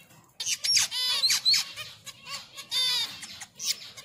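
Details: Mating finches call in a quick busy run of bright, buzzy, harmonic-rich chirps, several overlapping, with a short gap near the middle.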